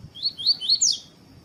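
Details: Double-collared seedeater (coleiro tui tui), a male caged with a female to warm it up for song contests, gives four quick high whistled notes, each sliding upward, the last sharper and higher, over a faint steady background tone.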